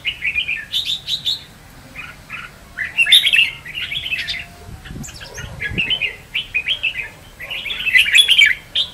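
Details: Red-whiskered bulbuls singing in contest, a recording meant as a lure for trapping; short bursts of bright warbled phrases separated by brief pauses, with crisp high accents and a low background rumble.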